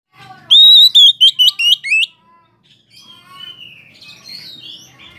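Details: Oriental magpie-robin singing to provoke other magpie-robins into answering: a loud run of clear, high whistled notes, some slurred downward, about seven in quick succession, then softer warbling phrases.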